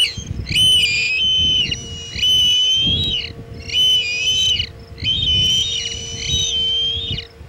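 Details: At a Chesapeake osprey nest, 22 August 2019, a food delivery fails. Strong, slightly wavering whistles, some lasting over a second, repeat in four long bouts with brief pauses, over a constant electrical hum and faint rustling.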